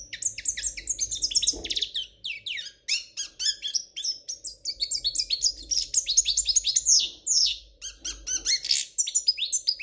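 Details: European goldfinch singing a flawless royal Spanish-style song: a fast, unbroken stream of high, liquid twitters, tinkling trills and sharp chirps, with a faint steady low hum behind.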